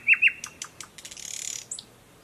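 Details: A recently arrived Thrush Nightingale sings from dense thickets by a stream, Mogilev district, Belarus, 11 May 2021, with frogs calling from a nearby pond: two ringing whistled notes, dry clicks, a fast buzzy rattle, a thin high ending.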